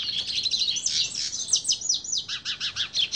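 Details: A Yellow-faced Siskin (pintassilgo-do-nordeste) of Brazil sings a fast, high twittering jumble that settles into a run of quick, repeated down-slurred notes, several each second.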